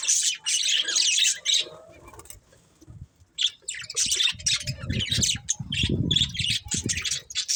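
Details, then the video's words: Budgerigar chirps come in scratchy high bursts, with a quiet gap before the chattering resumes alongside low knocking and rustling sounds. "Beautiful Budgies Chirping Sounds"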